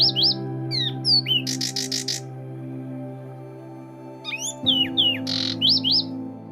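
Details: Zapata Wren (Ferminia cerverai), endangered Cuban endemic, in a wetland during its nesting season, gives clear, high whistled notes and a quick burst of rapid repeated notes, over a steady low musical drone.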